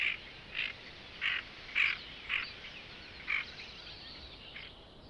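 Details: Canada goose, a rare visitor to Belarus, heard in spring among wintering waterfowl: six short, clipped honks at uneven half-second gaps that fade out, with faint flock calls behind.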